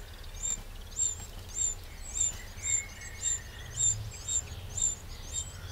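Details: Eurasian wren in a garden in the Châtillonnais, Burgundy, France, on 31 May 2023: sharp, very high ticking notes repeated about twice a second over faint low background rumble.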